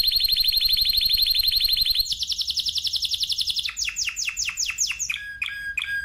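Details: Canary of the Spanish timbrado breed delivering a long rapid high trill that steps to a slightly lower rolled trill, then loud sweeping whistled notes repeated in quick succession and short clipped calls at the end.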